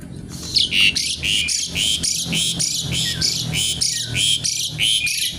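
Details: Javan pied starling in crackling 'kretekan' song with wings spread 'nggaruda': a rapid series of about fourteen harsh, rasping squawk bursts with whistled inflections, roughly three per second, steady and loud throughout.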